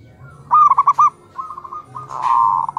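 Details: Local zebra doves, males and females answering each other in the morning: a quick run of four bright stuttering coos, then softer rolling coo phrases from other birds, with faint low background hum.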